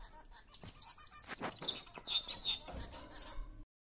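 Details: A male Bengalese (society) finch sings a quick, high, buzzy warble of chattering notes with a brief thin whistle near the middle, lasting about three seconds; White-rumped munia.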